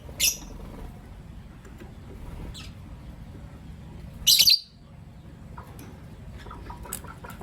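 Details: A pair of lovebirds, green Personata and pastel white, in morning activity: a sharp high chirp, a softer one, then a loud, rough, buzzy chirp burst, followed by faint scattered notes.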